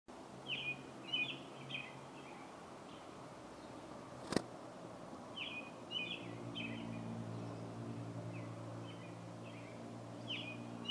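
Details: Wild birds calling loudly beside a deck in Metchosin, British Columbia: short bright chirps and twittering phrases in two bursts, the second after a sharp click, over a steady low hum.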